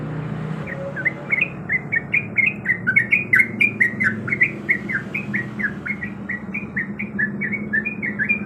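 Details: Breeding female yellow-vented bulbul calling the male: a lively, unbroken chatter of rapid chirping notes, roughly four per second, against a constant low background drone.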